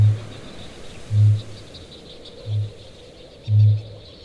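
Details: A male kākāpō (Strigops habroptila) booming at night on its island in the breeding season, a courtship display: four deep, resonant booms, about one a second, over high chatter of breeding petrels and shearwaters.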